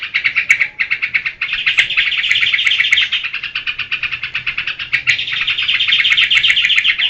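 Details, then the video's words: Yellow-vented bulbul geberan chatter: separate rasping pulses merge into a dense rapid run, pause briefly near the fifth second, then continue strongly. "Suara burung trukcuk geberan durasi full"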